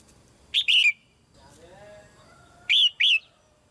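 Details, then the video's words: A female red-whiskered bulbul sings in a cage to stimulate newly grown birds to sing. A warbled three-note phrase is followed two seconds later by two separate clear notes, with a faint low sound between them. "นกหัวจุก-birds - Ep.57 - นกตัวเมียร้องเพลงในกรงเพื่อกระตุ้นให้นกที่โตใหม่ร้องเพลงมากขึ้น"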